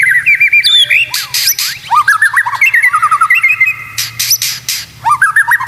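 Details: White-rumped shama song used to train other shamas: loud bursts of bubbling, looping whistles and repeated rising notes, interleaved with sharp broadband chips, over a faint low hum.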